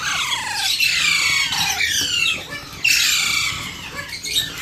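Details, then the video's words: Alexandrine parakeet chick begging while hand-fed: harsh, raspy squawks that slide downward, given in long bursts with short pauses. "Alexander parrot 🦜🦜 Pakhi baby 🐥🐥 beautiful hand food"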